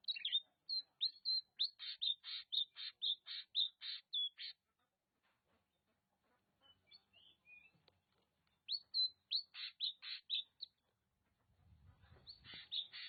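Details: Oriental magpie-robin, locally called kacer, from Nagan Raya, Aceh; bursts of quick, sharp repeated notes, about a dozen in under five seconds, then a pause with soft twitters before another fast run and a low rumble.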